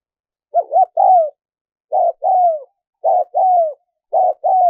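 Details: Spotted dove cooing, a lure sound for wild doves: a wavering opening coo then paired phrases of short and long falling notes, repeated about every second, clean background.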